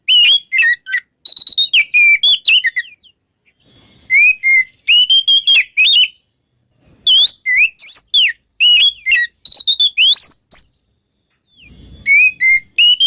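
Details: Morning ngeplong song of an oriental magpie-robin, played to stir magpie-robins that have stopped singing: bursts of rapid, varied, slurred and sweeping whistles broken by brief pauses.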